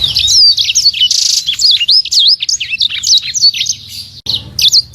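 A serin pours out a fast, unbroken stream of high, sharp twitters, trills and sliding whistles, with barely a pause before bursting on again.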